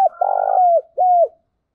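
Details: A single decoy coo phrase from a spotted dove: a brief note, then a long buzzing, trembling hoot gliding down, then a clear falling coo, nothing else heard.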